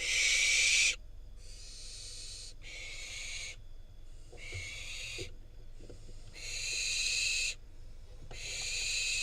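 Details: Wild barn owl fledgling in Israel receiving a rodent from its parents, then eating it; harsh, breathy hissing screeches about a second long, six bursts separated by short silences.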